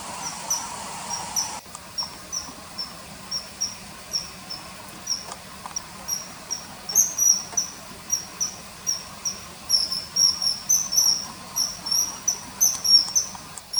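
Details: Common kingfisher by a river, giving a long run of short, piercing high whistles, irregularly spaced and growing louder and denser toward the end, with low background hum.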